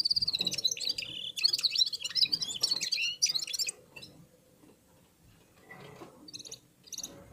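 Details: Red-fronted serin (Serinus pusillus) warming up its song alongside other birds: a fast, bright twittering of high, jingling notes runs for about three seconds, then fades to softer scattered chips and brief high trills.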